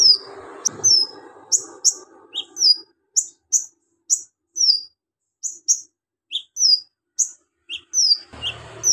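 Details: Javan magpie-robin performing a mimicry-rich ngobra song, borrowing golden grasshopper, lovebird, cricket and cililin sounds: a steady string of high downslurred whistles and short chirps, with murmuring noise at the start and end.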